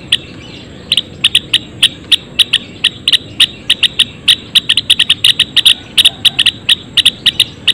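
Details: Captive Java sparrows (gelatik belong, Padda oryzivora) kept in a colony cage give dense, irregular bursts of crisp high ticking notes, often paired or tripled, running almost nonstop over a soft constant hum.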